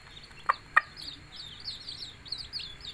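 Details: Domestic hen calling chicks to come and eat, giving two sharp clucks in quick succession while high, downward-sliding chick peeps continue behind her.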